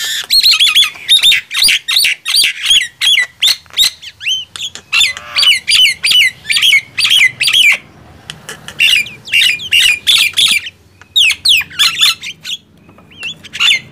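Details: Long bout of loud singing pitting a Nias hill myna against a black-winged myna: dense runs of strident squawks and metallic whistles, broken by a short drop-off in the middle, then resuming just as fast.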